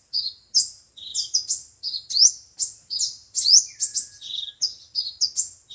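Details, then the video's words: Sunbird song, five-colour and seven-colour sunbirds, played through a speaker to lure birds for trapping: rapid high, sharp chirps and upslurred twitters in quick bursts, with a faint thin descending whistle in the background. "Tiếng chim hút mật 5 màu và 7 màu"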